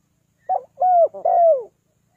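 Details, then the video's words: Spotted dove call used to lure birds down, three-note style: a brief soft opening note, then two drawn-out hollow coos falling in pitch at the end, with a quiet background. "เสียงนกเขาใหญ่ 3กุกห้อย เรียกลงกุก2กุก"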